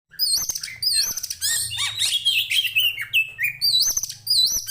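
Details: Oriental magpie-robin, a fighting-type bird used to train other birds for song contests, pouring out a fast varied song of sharp whistled slurs, high rising and falling notes and quick chips in rapid bursts, with a faint low hum.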